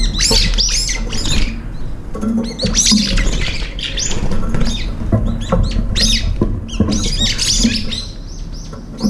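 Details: Several brown-eared bulbuls squabbling at a feeder, each trying to keep the food to itself: loud, harsh, screechy squawks come in rapid, overlapping bursts almost nonstop, with a low background rumble.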